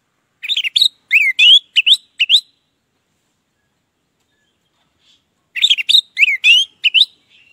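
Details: Orange-headed thrush with loud ngeplong song, used as a lure to make silent birds sing: two bursts of rapid, varied whistles and chirps separated by roughly three seconds of silence.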